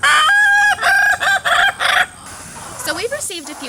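An Ayam Ketawa rooster gives its laughing crow: a two-second run of about five choppy, nasal, stuttering bursts. A person's voice follows.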